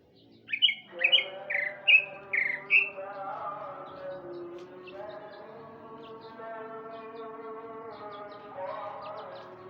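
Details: Afternoon song of a male Sumatran greater green leafbird, opening with five rapid rising whistled notes, then giving way to a long, steady, lower sustained tone like a faint drone for the rest of the stretch.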